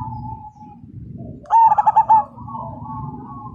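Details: Zebra dove (perkutut) of the Majapahit line, a fighter singer that sets other birds cooing: a single loud burst of about six rapid throbbing coo notes, with distant doves and low background rumble.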